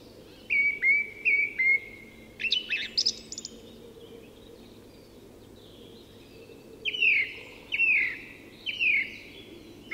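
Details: Song thrush singing at dawn in Sweden's Tyresta National Park: a clear whistled note repeated three times, a scratchy chattering burst, then a loud descending whistle repeated four times.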